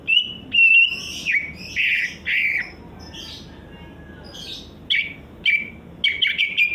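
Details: Greater green leafbird singing, a hobbyist's songbird in Indonesia: clear whistled notes and rough squawking phrases come in loud bursts separated by short pauses, then quick rising chips toward the end.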